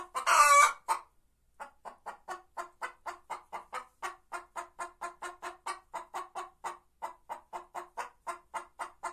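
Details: White Leghorn hen singing: one loud harsh squawk opens, then a long, steady run of short clucks, about three per second, keeping an even rhythm to the end.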